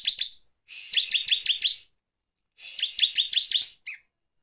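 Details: Bar-winged prinia song used as a lure to provoke other birds: bursts of rapid, high, stacked chirps, each about a second long, separated by short pauses, with a final brief note.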